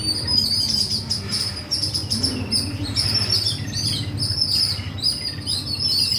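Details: Busy bird chatter from several birds, rapid high tweets and short bursts of trilling overlapping throughout, over a faint low rumble.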